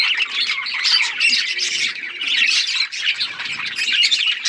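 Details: Singing budgerigars make a thick stream of chirps and grating squawks, swelling and easing in waves without a break.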